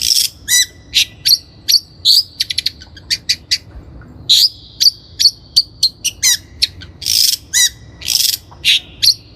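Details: Long-tailed shrike in full song, used as a lure recording to train young birds: a fast, varied run of harsh scratchy bursts, buzzy trills and sharp squeaky notes with short pauses, loud and close.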